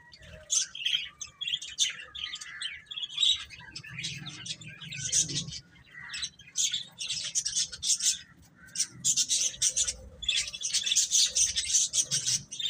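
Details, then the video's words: Chicks, baby chickens, giving a steady run of shrill peeps that thicken into dense overlapping chirping toward the end, with a soft low rumble in the background. "Cute Chicks Chirping Sounds"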